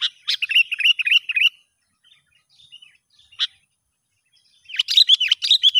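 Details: Sooty-headed bulbul in the wild during a test of a young lure bird, opening with a rapid chattering series of bouncing notes, a quiet gap with a lone chip, then another fast, lively chattering run.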